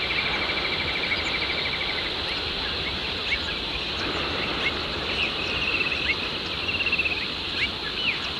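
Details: Rainbow bee-eaters, breeding visitors arriving in numbers, in Red Rock Heath, New South Wales, Australia. One perched on a power line gives rolling, cricket-like trills of one to two seconds, with a few short chirps between them, over steady wind or surf noise.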